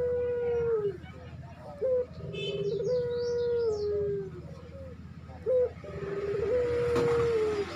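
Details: Barbary dove in breeding condition, calling a female, gives repeated low, drawn-out coos about a second long that sag at the end, each preceded by a brief upward-flicked note, against a steady low rumble.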